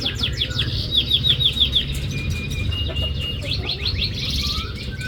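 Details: Canary song played to trigger a silent canary into singing: high, rapid, twittering trills and rolling chirps over a steady low rumbling hum, with several birds seeming to sing at once.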